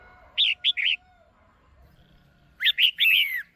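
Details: Female red-whiskered bulbul in a cage, calling to stimulate a male or for pairing: a trio of bright, bubbling chirps, about a second and a half of quiet, then a louder phrase ending in a drawn-out slurred whistle.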